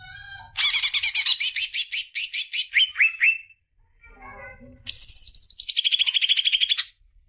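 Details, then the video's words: Greater green leafbird song for juvenile birds: a lively series of whistled, upslurred notes stepping lower in pitch, a soft pause with faint sounds, then a long high trill that drops midway. "CUCAK IJO BIKIN JUNIOR NGETOP GACOR NGEPLONG"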